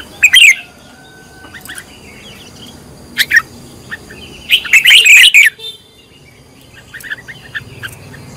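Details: Red-whiskered bulbul in decoy training, with a sharp whistled phrase at the start, a few isolated chirps, then a long, loud tumbling run of whistled notes before quieter chirps.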